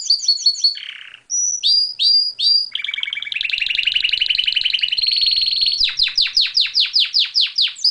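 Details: Canary singing, recorded without added effects: varied high whistled notes and a buzzy phrase, a long dense rapid trill, then a series of loud downward-sweeping notes repeated about twice a second.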